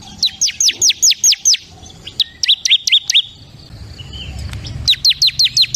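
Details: Bar-winged prinia, crystal type, giving rapid bursts of high, down-slurred chipping notes, with a pause of faint background rumble midway before another fast run of bright chips.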